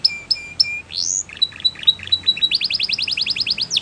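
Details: Belgian canary singing for young canaries to learn: three clear whistled notes, a rising slur, soft chattering notes, then a fast run of rising chips.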